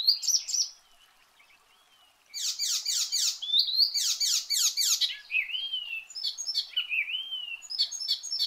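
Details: Icterine warbler: a short phrase, a brief pause, then dense harsh repeated notes broken by slurred and looping whistles.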